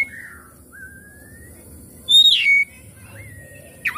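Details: Oriental magpie-robin song played as a lure to make the bird sing and open its tail: clear whistled notes sliding downward and upward, then a loud, brief, sweeping phrase mid-way, ending with a sharp rising note.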